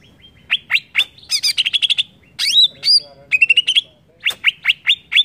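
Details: Greater green leafbird song intended to provoke other birds, varied high whistles, downward slurs and quick trilled runs packed densely together.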